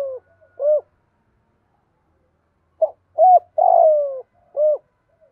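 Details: Repeated low, hollow cooing from a spotted dove, played to stimulate and train doves. A quiet gap is followed by a clipped note, a rising coo, a drawn-out buzzy descending coo and a final rounded note.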